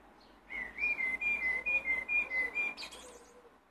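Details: Blackbird singing: a steady run of clear whistled notes, about two per second, alternating slightly in pitch over nearly three seconds, ending in a brief higher buzzy flourish; quiet background.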